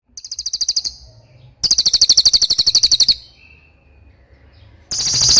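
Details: Cililin training song: a short high trill, a longer burst of rapid pulsed chattering notes, a quiet gap with a faint thin whistle, then a loud noisy onset.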